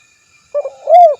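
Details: Spotted dove, a lure recording meant to call a rival and make other doves answer: a short low coo followed by a longer, louder, rising-then-falling hooted note.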